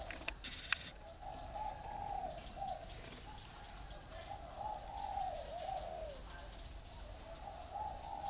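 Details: Spotted dove kept in a cage, giving a run of low mellow coos in smooth rising-and-falling phrases against steady background hiss, with a sharp click near the start.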